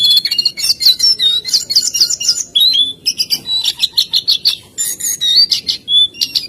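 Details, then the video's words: Lesser shortwing (jongkangan) singing lively: a fast stream of high, sharp whistled notes and trills, some rising and falling, broken by short pauses and brief scratchy bursts. "SUARA BURUNG JONGKANGAN GACOR GOYANG TELER SAKTI!!"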